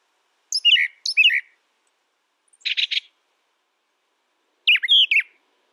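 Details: Brown thrasher singing paired phrases: two matching high chirped figures, a quick burst of buzzy pulses, then a looping whistled phrase, separated by clear pauses.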